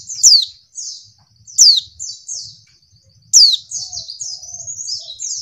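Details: White-eye female calling, used to stir silent males into answering: loud sharp downslurred notes repeated between busy high twittering phrases, faint low background rumble.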